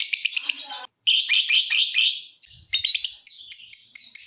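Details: Singing lovebird, ngetik then ngekek style, played to coax other lovebirds into trilling: dense, harsh, high chatter, a short break, another rich scratchy burst, then spaced sharp chirps repeated several times a second.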